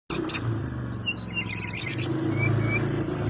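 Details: Bar-winged prinia singing steadily in a fighting mood, seeking a rival, used as a lure to make white-rumped shamas sing: scattered high thin whistles and short chirps, then a dense buzzy rattling burst, over a constant low engine-like hum.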